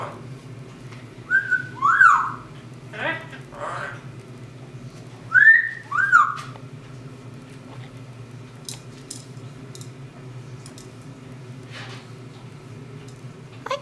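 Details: A 12-year-old female pet double yellow-headed amazon, who dislikes the camera, gives two pairs of clear, rising-then-falling whistles a few seconds apart, with brief voice-like talking between, in a quiet room.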